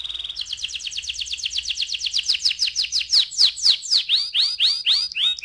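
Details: Canary singing in the rolling 'ngeroll' style, used as a lure to set other canaries singing: a fast, even high trill of repeated notes that slows into louder, separated downslurred notes.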